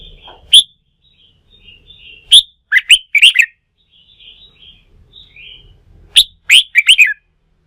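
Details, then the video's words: Newly caught red-whiskered bulbul, stirred up for song-fighting practice, gives short, loud, liquid whistled phrases in bursts, with quiet warbling between them and long pauses. "Kích chào mào bổi bổi lên lửa, luyện chim hót đấu"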